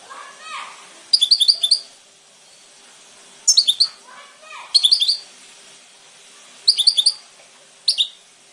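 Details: Goldfinch twittering in short rapid bursts of high, glittering chirps, five phrases spread over several seconds, with soft lower rising notes faintly heard between them.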